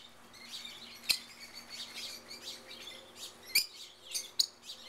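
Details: Wild rosy-faced lovebirds in a backyard in Mesa, Arizona, keep up shrill, squeaky flock chatter, with three sharp, piercing shrieks breaking through over about five seconds.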